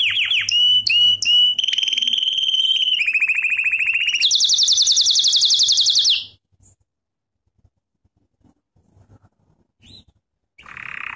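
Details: Canary singing lesson for training: brief whistles give way to sustained rolling trills stepping in pitch, then a high buzzy trill that stops abruptly, followed by silence and a short rattle at the end.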